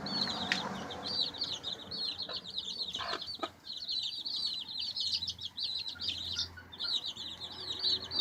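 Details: Several baby chicks peep constantly in high, quick, bent notes while pecking and scratching, with distinct tapping knocks near the middle.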